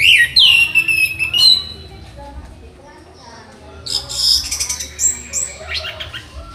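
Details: Orange-headed thrush, a master songbird in training, singing loud whistled phrases: slurred notes near the start, a sliding phrase, then a pause and a burst of varied high, sharp whistles and trills; low background hum throughout.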